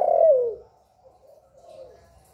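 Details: Spotted dove calling and cooing to stimulate other doves, recorded close without background noise: one loud, low coo slides downward, followed by faint murmuring coos.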